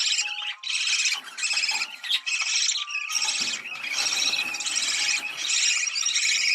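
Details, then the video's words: Budgerigars chattering, a sound meant to stimulate breeding: dense warbling blocks of buzzy, rasping notes in rapid bursts with short gaps, plus thin whistles and occasional clicks. "Muhabbet Kuşu Kızıştırma Çiftleştirme Sesi"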